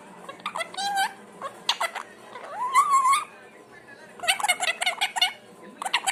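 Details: Pet parrot making a variety of sounds indoors: warbling whistles, a long rising-falling tonal note, and bursts of harsh chattering squawks.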